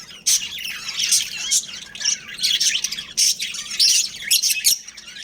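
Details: Budgerigars, a kept breeding pair, chirp in separate sharp bursts of squeaky twittering, each lasting under a second with brief quiet spells between.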